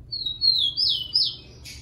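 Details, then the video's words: Rufous-collared sparrow (tico-tico) in captivity in Brazil, song used to train and warm up other birds: clear high whistled notes slurring up and down in a short phrase, ending in a brief buzzy burst. "TICO TICO CANTANDO MUITO"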